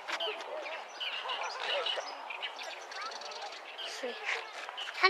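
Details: A Bull-headed Shrike singing loudly from a treetop gives a dense, rambling run of chattering and squeaky notes, mid to high in pitch, with sharper accents near the end.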